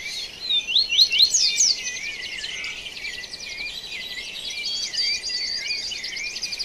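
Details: Dawn birdsong recorded live outdoors in Brazil: a few sharp whistled slurs early on, then continuous high trilled, buzzy chatter that carries on steadily to the end, with faint background hiss.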